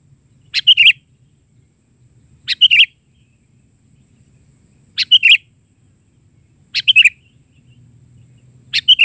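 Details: Sooty-headed bulbul singing lively isian (filler) song, bahari version. Five brief chirpy phrases, each a cluster of bright notes falling at the end, come about every two seconds in otherwise quiet surroundings.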